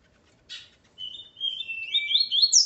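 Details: Coleiro, a male kept with his female, gives a short phrase: a buzzy chip, then a long thin whistle that wavers and climbs into sharp, high, twittering notes.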